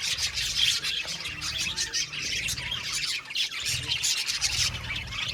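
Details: Many budgies chatter together in a colony aviary. The sound is a busy wash of high twittering with brief squeaks, and a soft low rumble underneath.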